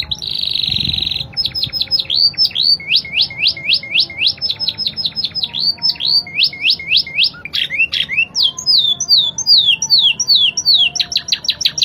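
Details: Spanish Timbrado canary singing actively in a clear, crystalline voice with quick changes of rhythm: a buzzy steady tone opens, then rapid series of slurred rising-falling notes, about five per second, shifting into faster trills.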